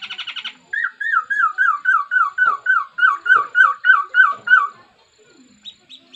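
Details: Laughingthrush song: a quick stuttering trill, then about a dozen loud, slurred whistled notes repeated steadily, each dipping then rising, ending with a couple of short high notes.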